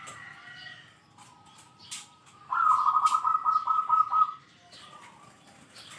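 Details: A zebra dove in full song, its big 'kung' voice said to be best at calling rivals: a sustained, rapidly pulsed, rolling trill lasting nearly two seconds at steady pitch, preceded and followed by faint clicks and soft chirps.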